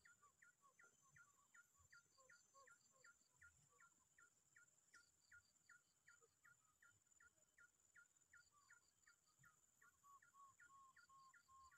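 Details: Quail used as a lure, calling a rival or enemy with short, clipped notes repeated about two to three times a second in a steady run, over a constant thin high whine.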